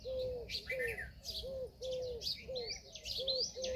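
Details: A female Indian peafowl gives crisp, evenly spaced arched notes, about two per second, beneath a dense chatter of high chirps and rising whistles from small birds.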